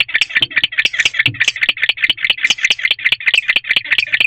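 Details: Young male barn owl courting inside an owl box before dawn, 5:11 am on 17 February 2023, after the adult female's brief visit; rapid dry rattling clicks repeated over two per second in a steady chattering series.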